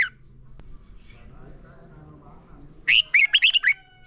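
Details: Red-whiskered bulbul song used to prompt caged birds to sing: after a quiet stretch with faint murmuring hum, one short, clear phrase of quick, rising and falling whistled notes.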